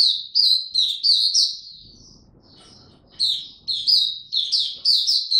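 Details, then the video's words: Oriental white-eye in 'buka tiong aw' song while ramping up form, 3 January 2022: bright, clear high chirps that slur downward, a short break with a soft low rustle, then another quick run of the same notes. "Mata Puteh Dagger ramp up form buka tiong aw sing"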